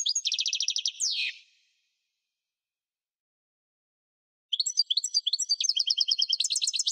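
European goldfinch song: a quick, high, tinkling twitter of rapid trills and buzzy notes. One burst, a pause of about three seconds, then a longer run.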